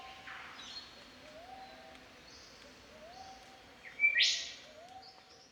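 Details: Australian Golden Whistler singing in the bush in spring: after a quiet stretch, a short clear whistle leads straight into one loud, sharp whipcrack-like note near the end. Faint, softer rising whistles from other birds sound throughout.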